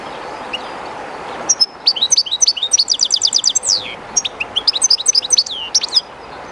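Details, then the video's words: European goldfinch, one of the owner's birds, somewhat timid yet singing close to the current of the Jerte River: two energetic phrases of high, tinkling twitters with fast repeated chirps and slurred falling notes, over a steady river rush. "JILGUERO CANTANDO EN EL RÍO/Goldfinch singing in the river/Chardonneret chantant dans la rivère"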